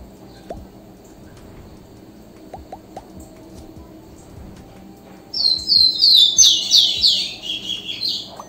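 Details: Rufous-collared sparrow song arriving after about five quiet seconds with faint clicks. A burst of bright, high whistles follows, each note slurring down, then a lower buzzy ending.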